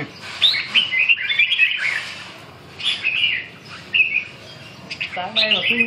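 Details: Red-whiskered bulbul singing during a friendly singing bout against a fourth-prize competition bird from Hai Phong: short bright warbled phrases with rising and falling notes, separated by brief pauses, and a voice is heard near the end.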